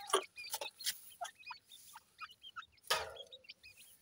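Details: Black francolin chicks, known locally as dakhni teetar, fighting inside a house. Short thin chirps, some hooked or rising, come scattered over a few seconds, mixed with clicks, tapping and a loud rushing burst near the three-second mark.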